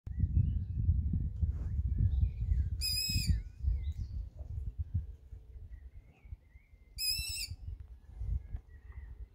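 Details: Three Long-eared Owl chicks calling on 8 June, giving two harsh, hissing, noisy begging screeches about four seconds apart over low rumbling background noise.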